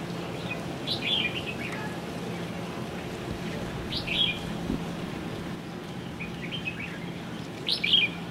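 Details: Red-whiskered bulbul, an introduced species on the island of O`ahu, giving short high chirps with an upward flick, spaced a few seconds apart, faint over a steady low hum of background noise.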